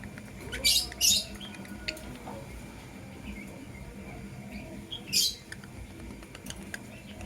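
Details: A blue opaline and a green personata lovebird chirping in the morning: two loud harsh, grating screeches close together, then quiet ticks and twitters, then another harsh screech.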